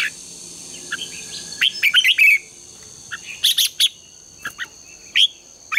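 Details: Red-whiskered bulbul singing in the morning, used for song-contest training; bursts of sharp whistled and chirped notes in clusters separated by short pauses, over a steady high electronic hum.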